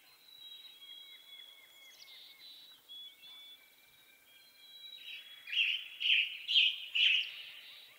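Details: Western tanager singing a burst of four hoarse, burry phrases spaced about half a second apart, preceded by faint high whistles and a rapid series of soft chips in the background.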